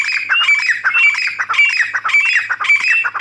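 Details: Female grey francolin in a steady, loud, harsh squawking chatter, pulsing in bursts about every half second, with thin whistled overtones.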